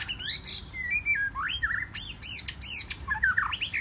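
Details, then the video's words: Wild-caught white-rumped shama singing in competition: short whistled slurs and harsh rasping notes, several sharp stacked calls in quick succession, over steady background noise. "Chòe Lửa Hót Giọng Rừng Kích Chòe Lửa Bổi Hót Đấu"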